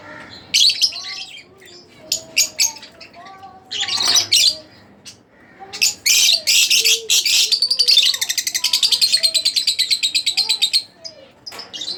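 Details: Split blue Fischer's lovebird kept as a pet, singing a busy mix of shrill chirps and squeaks that runs into a long, fast rattling series of clipped notes before ending with scattered chirps.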